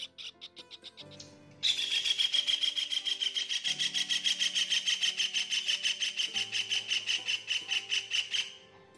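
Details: Kingfisher, a bird that calls diligently at dawn, gives a shrill, high, monotonous rapid series of sharp notes, about four a second, dropping slightly in pitch over seven seconds, with soft background music.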